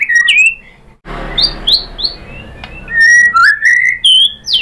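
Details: White-rumped shama, or murai batu, lure song meant to stir rival birds into singing: clear descending whistles, a burst of rustling noise, then high clipped notes and rising slurred whistles.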